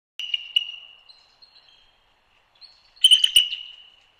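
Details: Eagles (the pair Freedom and Liberty) at Hanover (Codorus), Pennsylvania, chattering on 28 December 2022: two bursts of thin, high, squeaky piping notes, each quick then trailing off, with a short quiet gap between.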